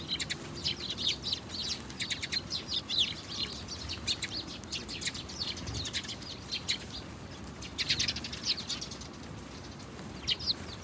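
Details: A lively stream of house sparrow chirping, many short high notes tumbling over one another in bursts, steady faint rumble behind.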